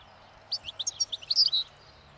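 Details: European goldfinch in the wild, feeding on thistle seeds beside a road as spring nears, singing its breeding song; rapid tinkling liquid twitters building to a louder, buzzier flourish.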